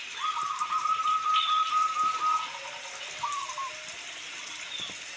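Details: Local zebra dove, perkutut lokal, singing over steady rain noise: one long rippling trilled coo held near one pitch for about two seconds, then a shorter fainter phrase.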